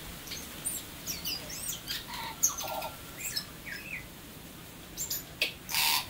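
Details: New Zealand tui singing softly: sparse high clicks, brief twangy slurs and a faint low whistle, closing with a rough broadband rasp.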